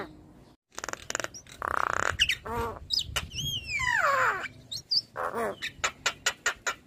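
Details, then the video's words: Chattering song of a head-nodding Black-winged starling: sharp clicks and rasping bursts lead into a long descending slurred whistle, followed by a run of quick dry ticks. "Suara Khas Jalak Kebo Gacor MAnggut - Manggut"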